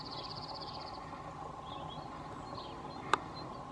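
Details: A male cirl bunting (Emberiza cirlus) in Croatia gives a fast, dry, high trill of about a dozen even notes lasting a second, over a steady hum, with a sharp click later.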